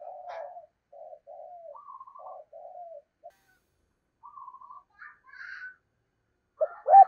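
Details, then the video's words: Decoy spotted dove giving soft, low cooing phrases broken by short higher trills, with a louder burst of noise at the close. "tiếng cu gáy - Chim Cu Mồi Giọng Thổ Gáy Hay Nghe Rất Phê"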